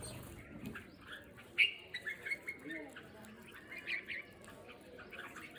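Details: Wild birds in natural surroundings, giving scattered short chirps and one brighter whistled note, with several calls overlapping over steady background hiss.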